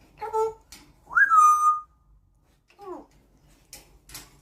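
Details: Pet African grey parrot, indoors, which imitates a dishwasher beep very loudly: short harmonic honks, then a loud pure whistled tone that leaps up and holds steady for under a second, a downward-curving squawk, and a few faint clicks.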